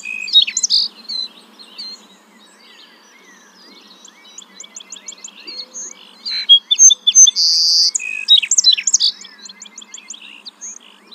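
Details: Song sparrow singing a long varied song: bright opening notes, then rapid trills and repeated chips, a quieter stretch, and a loud final burst of buzzy and clipped notes in quick series.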